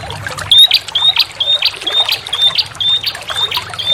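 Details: Lure call of a bar-winged prinia: a steady run of thin, high, slightly rising whistles, about two per second, each followed by a short buzzy accent, set against gently splashing water.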